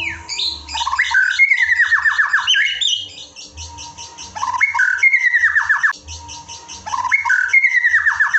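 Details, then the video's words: Song material for pet white-rumped shamas, meant to raise their excitement: loud ringing phrases of falling slurred whistles and rapid descending note series, repeated about every three seconds, with a faint low hum beneath. "bongkar isian murai batu untuk menaikan emosi murai batu peliharaanmu"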